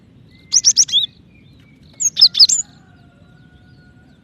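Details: Female cinereous tit calling a male: two short bursts of high, squeaky chirps, five notes then four, about one and a half seconds apart, with a faint steady hum behind.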